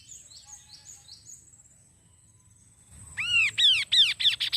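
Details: Kaso-kaso bird singing, meant to prompt wild birds to sing: faint high chirps at first, then after a quiet gap a series of loud, arched, rasping notes repeated quickly, with a constant thin high tone throughout.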